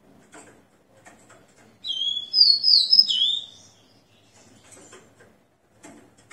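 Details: Ringed captive Rufous-collared Sparrow singing after its moult, recorded at 6 in the morning on 29 September 2021: a short whistled phrase, a steady lower note rising into higher slurred whistles, with faint knocks before and after.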